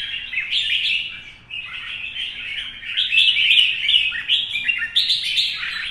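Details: Caged Vietnamese red-whiskered bulbul, a mature wild-caught male-type singer in morning sunlight, delivering competition song: continuous loud, chattering, whistled warbles with rapid up-and-down notes.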